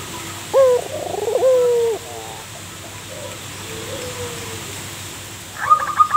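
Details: A local zebra dove sings as a lure for other doves. Two short hoarse coos come early, then quiet follows with faint low notes. A brief burst of rapid ticking notes enters at the end.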